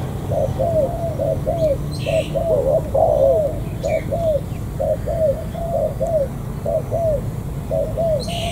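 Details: Steady, rolling cooing from a newly caught local spotted dove near the An Giang border gate in Vietnam; arched hollow notes come in tight pairs and triplets, while small birds chirp faintly above.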